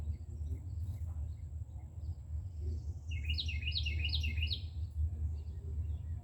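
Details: Carolina wren nesting on an outdoor shelf: one rolling song of four quick rising-falling two-note phrases, bright and whistled, over a steady low rumble of background noise.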